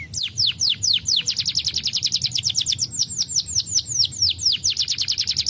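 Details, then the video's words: Starblue canary in full lively song meant to stimulate reluctant canaries into singing; dense run of quick, high, downward-slurred notes repeated steadily about five to six per second, over a soft low hum. "Burung kenari Starblue gacor PANCINGAN AMPUH Kenari Malas bunyi"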